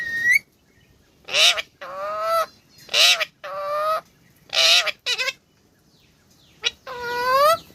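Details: Pet parrot talking, uttering a series of speech-like, nasal, harmonic phrases, each about half a second long, separated by short silences, with some rising and falling inflection.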